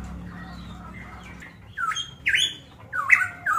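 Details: Golden myna from Manokwari, Papua: after a low hum, three loud whistled slurs that dip down then sweep up sharply, spaced about half a second apart, in a small indoor space.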